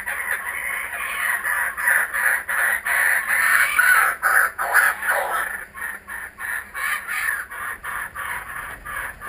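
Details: Kookaburras calling as they return, harsh cackling bursts repeated rapidly, roughly two or three per second, swelling and fading in a loose rhythm, with a steady high hiss in the background.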